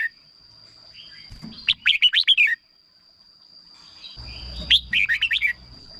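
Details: Red-whiskered bulbul song played to excite birds or as a decoy: two bursts of quick, liquid, warbled phrases of about six notes each, separated by quiet, over a steady high electronic whine and faint low rumbling.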